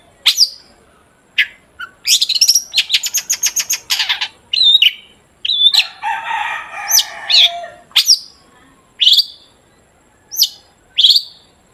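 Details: Long-tailed shrike lure song to make shrikes sing: scattered sharp notes, a rapid rattling series, a rough buzzy passage, then spaced single harsh chips.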